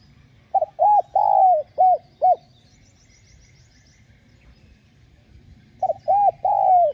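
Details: Spotted dove (cu gáy) cooing in a full sequence of call, urge and coo phrases, played to stimulate newly caught doves to coo; a quick run of five hollow mid-pitched coos, a pause, then three more with a longer drawn-out note.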